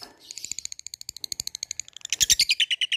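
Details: Fighter Labet bird calling an opponent, opening with a fast string of thin, high ticks that build into louder, harsher, chattering notes toward the end.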